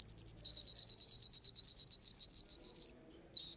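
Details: Russian canary singing in a contest: a rapid, evenly spaced trill of bright chirps, dropping slightly in pitch early on, ending with a held whistle and a short burst.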